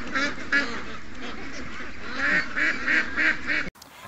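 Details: Flock of 700+ ducks and geese, including young ducks, during a morning rush on August 7th, 2015: rhythmic nasal quacks repeated several times a second, then a sudden cut near the end.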